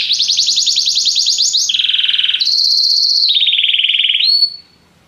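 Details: Canary song made of joined tours: a rolled high trill, a lower buzzy trill, a higher smooth trill, then a lower trill, ending in a short whistle before silence.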